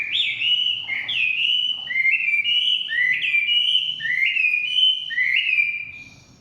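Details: Chinese hwamei singing in the forest, repeating a loud swooping whistle that rises then levels off, roughly every second, in a steady, melodious series.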